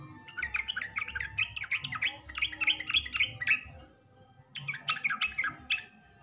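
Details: Yellow-vented bulbul call used to lure or stimulate lazy-singing or young bulbuls: bright chattering bubbly phrases of quick warbled notes, a long run of clustered notes, a pause near four seconds, then another lively burst.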